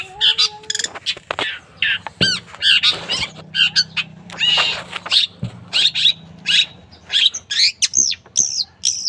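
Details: Cendet song used to teach other caged birds to sing; a rapid string of scratchy, chattering notes and high sweeping whistles in short bursts, preceded by two brief electronic-sounding tones.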